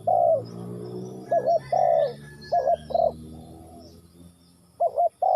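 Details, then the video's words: Ninh Thuận spotted dove repeating soft coos, a quavering double note then a longer falling one, with pauses between bursts; a low drone and faint high chirps of other birds in the background. "Cu gáy Ninh Thuận"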